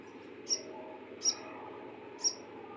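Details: Bar-winged prinia giving three short, thin, very high notes about one second apart over a low background hum.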